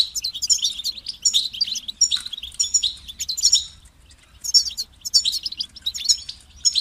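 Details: Goldfinch pouring out dense, buzzy twittering phrases in two main runs separated by a brief quiet spell, with sharp tinkling notes throughout.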